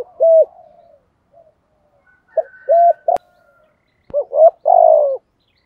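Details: Urging 'thúc gù' coos of a spotted dove in 'giọng thổ' style for attracting wild doves: scattered single low coos and short notes, two sharp clicks, then a full phrase of quick notes ending in a long coo.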